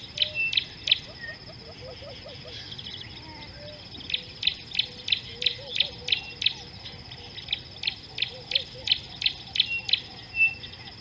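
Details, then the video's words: Young red-billed hornbill begging while a parent feeds it beside an African river in June 2018: short sharp clucks repeated about three per second, with a constant high insect buzz and soft lower warbling notes. "Baby Red Billed Hornbill being fed by parent"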